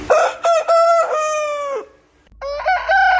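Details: Rooster on a farm crowing in the morning: a loud crow with choppy, stuttered opening notes and a drawn-out, falling note, then a second crow starts after a short pause.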